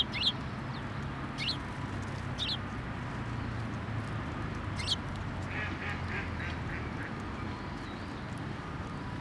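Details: Sparrows at a Tenmangu shrine on 1 December 2023, coming to take food placed on a post: short, high chirps given singly and then in a quick run of several notes, over steady low traffic rumble.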